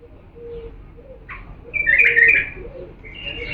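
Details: Diyala bulbul giving a clear training song for young birds: a short upward note, then a loud, rich, slurred warble around the middle, and a thin high note rising at the end.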